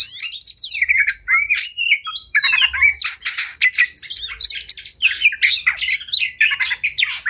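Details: Oriental magpie-robin pouring out agitated fighting song that is said to excite other males into tail-spreading: continuous scratchy, buzzy chatter with interwoven whistles, loud and nearly unbroken throughout.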